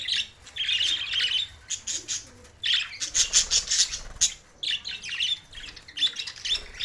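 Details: Budgerigars recorded June 7, 2024 in Larkana, Sindh: warbling chatter and buzzy squawks in long bursts, broken by short pauses, with scattered sharp chirps.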